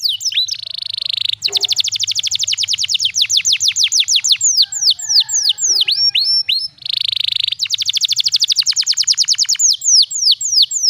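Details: Pancingan song of a canary with special cengkok, used to tutor young canaries: sustained rapid trills of sweeping notes, a brief buzz and mixed chirps midway, then another long fast trill and buzz.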